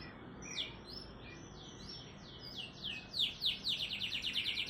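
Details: Canary song with unique rapid phrasing used to lure lazy canaries into song: soft gliding whistles that build into a bright, accelerating trill of falling notes.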